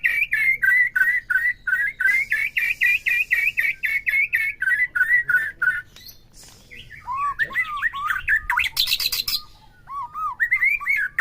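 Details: Stimulus song of a white-rumped shama for provoking a caged bird to sing: fast repeated whistled chips, then a varied phrase of sweeping, rising and falling whistles with a brief burst of harsh notes.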